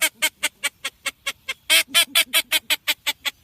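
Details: Blue-winged teal, presented as a hunting call sound from the Dominican Republic: loud nasal harmonic quacks repeated rapidly about five per second in a steady series, some notes louder and harsher, no other sounds.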